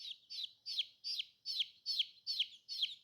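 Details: Baby chicks, described as cute and colourful, peeping: eight loud, high, downward-sliding peeps in steady succession, one roughly every 0.4 seconds, with nothing else audible.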